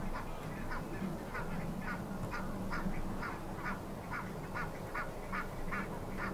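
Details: Pied avocets, two foraging at the Akersloot Hempolder, Netherlands, on Tuesday, April 4; regular string of short bright notes roughly every third of a second, with a low steady hum and murmur underneath.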